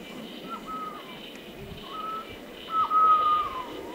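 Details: Golden-headed quetzal at Alto San Miguel giving mellow, flat whistled notes, each held about half a second, with the last one longest, over a soft forest hum.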